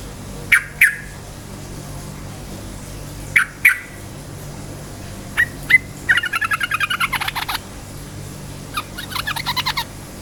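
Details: Yellow-vented bulbul, a lively lure singer for provoking rival bulbuls, giving paired sharp clicky notes, then a fast rattling run of about fifteen bubbly notes, a pause, and a shorter run.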